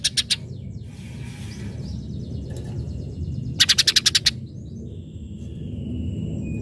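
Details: Greater green leafbird singing hard to rouse rivals and untrained birds into replying: a burst of three harsh high ticks, then a tight rapid string of about eight buzzy notes, set against steady background rumble and hiss.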